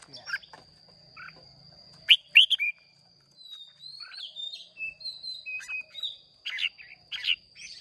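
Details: Caged Red-whiskered bulbuls from Hoà Bình, Vietnam, singing in a contest: bright whistled phrases and sharp chirps in scattered bursts, with quieter warbling notes between and a steady high electronic whine throughout.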